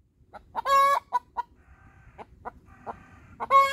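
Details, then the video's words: Hen's post-laying cackle: a long harsh squawk followed by a string of short, clipped clucks spaced irregularly, building back into another loud drawn-out squawk at the end. "hen laying song"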